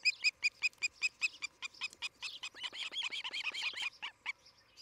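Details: Osprey pair at a nest on a treetop cam near Charlo, Montana, morning of July 11, 2018: rapid, piercing whistled chirps repeated about two or three per second, loud at first then running into a denser, overlapping chatter, over a steady electrical hum.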